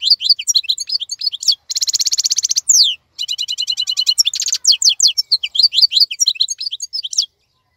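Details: European goldfinch, still active and singing while other birds moult, delivers a long song of rapid twitters mixed with harsh buzzy trills and descending slurred notes, nearly unbroken for seven seconds.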